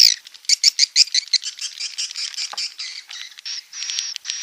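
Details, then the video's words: Swiftlet lure call for the rainy season, played at a swiftlet house in Nunukan, North Kalimantan, on 19 July 2020 at 17:00. Rapid clicking chirps come in quick series, then slower, longer buzzy notes toward the end. "suara panggil musim hujan"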